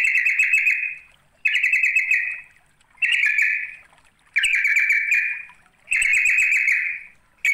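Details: Sooty-headed bulbul calling a rival, giving buzzy trilled bursts about a second long, each fading at the end, repeated roughly every one and a half seconds with silent gaps between.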